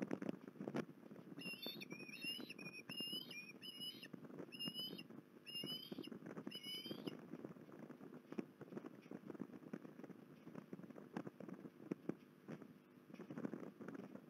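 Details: Osprey at Port Lincoln, 21 December 2020: a run of about eight short, upslurred whistled chirps over roughly six seconds, then only steady broadband rushing noise for the rest.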